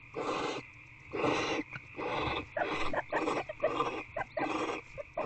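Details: Barn owl in a nest box at night, 11:32 pm on 2/6/24, as prey is brought in, possibly a bird: harsh, breathy hissing bursts about half a second long, repeated roughly every second, over a steady electrical hum.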